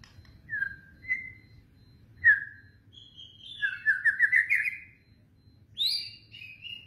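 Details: White-rumped shama in kretetan-style song, used as a lure for other birds: sparse clear whistles spaced about a second apart, then a buzzy rising trill and a high descending whistle over a low background hum.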